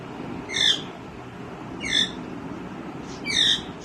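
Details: Green ringneck parrot giving three loud, harsh, rasping squawks, roughly one every 1.4 seconds, against a quiet hissing background.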